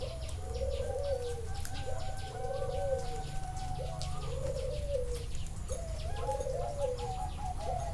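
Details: Live from a bird farm in Chana, Thailand, a zebra dove gives four rattling, purring coo phrases, one roughly every one and a half seconds, with a faint sustained tone and distant chirping in the background.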